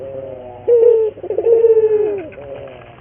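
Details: Puter dove cooing in a lure recording meant to train local doves into frequent song: a brief clear coo followed by a rolling, slightly descending croo.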